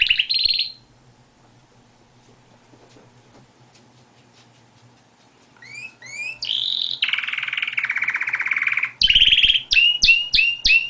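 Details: Singing canary: one short buzzy burst, a long quiet pause, then a resumed stream of upward-sweeping notes, a long rolling trill and quick repeated chirps.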